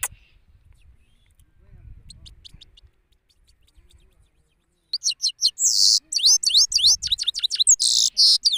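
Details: Male European goldfinch singing in an open place in Parachinar, Pakistan: faint high notes at first, then a loud, lively outburst of tumbling twitters and buzzy wheezes.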